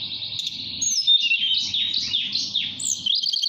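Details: Nyuling whistled song of a caged mountain tailorbird in Purworejo, Central Java, calling a female: a steady high tone breaks into tumbling, overlapping slurs and ends with a pure upward-curving whistle.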